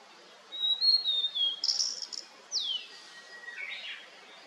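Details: High whistles from a Blue-and-white flycatcher in rain-cleared, misty mountains, followed by rasping, noisy notes, a long downward sweep, and a softer scratchy ending.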